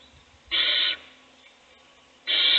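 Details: Owl nest box at feeding time, one chick fed while the rest sleep; a loud, steady half-second hiss, a silent pause, then another hiss beginning.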